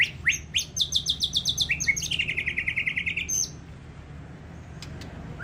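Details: ['Contest-winning white-rumped shama at SMBF Ladong bird singing contest pouring out a rapid trill of bright repeated notes, nearly four per second, shifting pitch midway and ending abruptly after three seconds, followed by faint background noise.']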